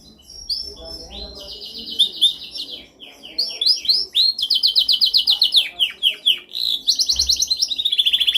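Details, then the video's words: Canary delivering a dominant training song: clear whistled slides leading into long buzzy rattling trills and quick repeated chirps, loud and continuous throughout. "Canção mais dominante de canary para treinagem."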